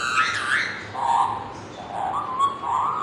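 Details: Pet parrot whistling the Bollywood film song "Kuch Kuch Hota Hai", here a run of wavering, bending whistled notes that rise and fall in a sung melody line, slightly rough in tone.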